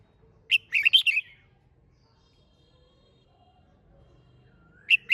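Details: Red-whiskered bulbul singing in competition style to spur other bulbuls to sing: one quick, bright phrase of several tumbling warbled notes, then quiet, then the start of a second phrase at the end.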